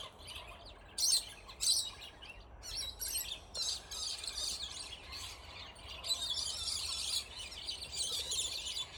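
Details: Scaly-breasted lorikeets squabbling in a territorial fight that went on for ten minutes, possibly over food, nesting hollows or during breeding season: shrill, screechy, chattering bursts overlapping almost continuously, louder sharp screeches near the start.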